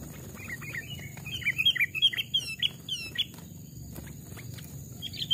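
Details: Caged sooty-headed bulbul, two or three years old, raised from a chick, tested in forest; cheerful whistled phrases of sliding notes that build in loudness, about eight syllables in two seconds, with lighter chirps before and after.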